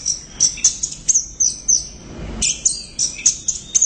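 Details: Orange-headed thrush singing vigorously at high volume: a fast run of sharp, very high chirps and squeaky notes, about three per second, with a brief pause midway. A soft low thump is heard at the pause.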